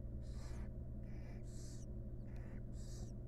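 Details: Wild barn owl mother grooming her chicks in a nest box; three close, loud rasping hisses with a lower, more tonal wheezy edge, packed into a few seconds over a low hum.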